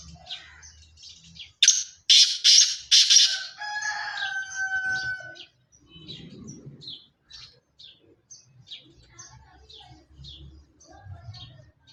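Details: Black francolin of pure Sindhi stock, Sindhi chirki line, giving a harsh grating call of four loud buzzy notes in quick succession. A rooster-like drawn-out tonal crow follows, with faint small-bird chirps before and after.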